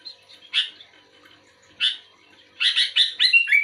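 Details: Kutilang (sooty-headed bulbul) singing in answer to another bulbul. Two isolated rasping chirps, then a fast tumbling cluster of chirps ending in clear whistled notes that dip and rise.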